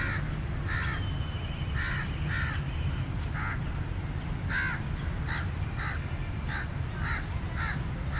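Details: Crow calling with short harsh caws repeated roughly every half second to second, each a brief noisy burst, over a constant low rumbling background.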